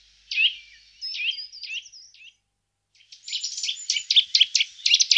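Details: Eurasian nuthatch (Sitta europaea): several sharp down-slurred call notes at first, then a brief pause and a dense run of quick high chirps and twitters filling the rest.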